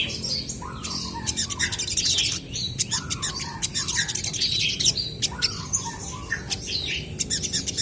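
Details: Crested jays in lively voice answering one another: short downslurred whistles near the middle register recur among dense sharp clicking rattles and a busy wash of high chirps, with a steady low background rumble.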